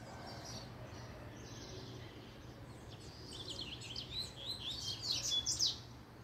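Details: A double-collared seedeater, stirred up by a female, sings softly at first, then breaks into a loud, rapid chatter of high slurred notes at the close.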